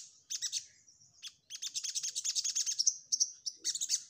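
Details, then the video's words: Orange-headed thrush (sogok ontong) singing in the chattering 'nyecret' style: a long, fast run of high metallic stuttered notes, almost continuous, with a sustained whistled tone threaded through. "SogokOntong Gacor Nyecrett N3mbak"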